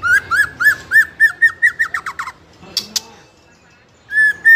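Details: Young speckled-plumage ('trotol') White-rumped shama in fighter 'ngeplong' style, used as a lure to provoke other young shamas into singing: a run of clear, slurred whistles repeated about three times a second, a brief scratchy burst, a pause, then longer steady whistles.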